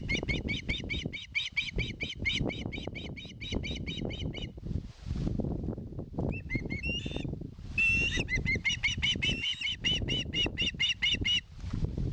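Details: Begging osprey at a Finnish nest in Satakunta, 2022, asking for fish on a live nest camera: strings of rapid, piercing chirps broken by a pause, over heavy low rumbling wind or wing noise.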